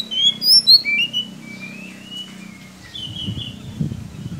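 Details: White-rumped shama lure song, played to get a young, chirping shama singing more: a rapid run of high whistled slurs and rising notes, then long thin whistles and a softer trailing phrase over a low steady hum.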